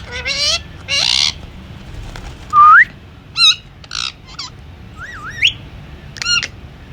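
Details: Talking Indian ringneck parrot kept as a pet gives a few loud harsh squawks, then clear upslurred whistles and a wavy rising whistle, with quiet gaps between the calls.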